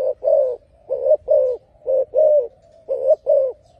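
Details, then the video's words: Deep, resonant coos from a spotted dove arranged in pairs, linked by a soft continuous purr, the pairs coming about every second and a half. "The Best Dove Singing លលកម៉ាលេងសម្លេងធំ"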